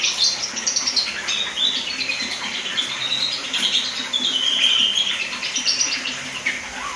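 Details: Javan pied starling practising song in a continuous high, squeaky warble of sliding whistles and scratchy notes, loud and unbroken for the whole stretch.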